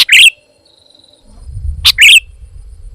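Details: Sooty-headed bulbul in lively voice, giving two loud, short, buzzy chirps about 1.7 seconds apart, with a faint low rumble between them.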